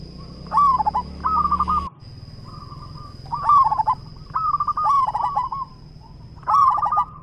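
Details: Local zebra dove singing strongly: roughly six stuttering coo phrases in seven seconds, each a fast run of clipped notes, some softer echo phrases between, with low hum at first and a faint high whine throughout.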